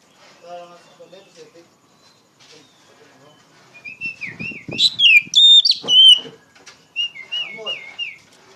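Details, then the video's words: Oriental magpie-robin, singing in the loud ngeplong style to tutor raw magpie-robins: soft scattered notes at first, then a loud burst of high, jumbled whistles and a wavering trilled whistle near the end. "PANCINGAN KACER NGEPLONG GACOR SUARA LANTANG COCOK UNTUK MASTERIN POCI BAHAN"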